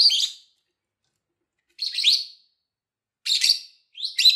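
Lovebird giving four shrill, harsh chirping bursts, each about half a second long, spaced roughly every second and a half with silence between.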